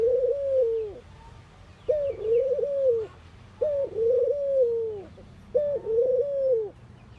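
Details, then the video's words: Morning cooing of a ring-necked dove in India, four drawn-out hollow coos roughly every two seconds. Each phrase starts abruptly, holds a wavering low tone and sags at the close, over quiet background hiss. "Ringneckdoves calling sound !! Indian Birds Dove morning activity Doves cooing"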